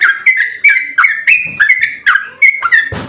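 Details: Sooty-headed bulbul 'ropel' song, agitated and used as a lure for other bulbuls: a string of clear, slurred whistled notes at about three per second, ending in a short burst of noise.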